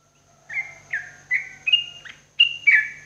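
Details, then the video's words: Morning therapy song from a sooty-headed bulbul for cage birds: bright whistled notes in quick succession, each held briefly or bending up and down, about six phrases in three seconds. "TERAPI TRUCUKAN PAGI HARI"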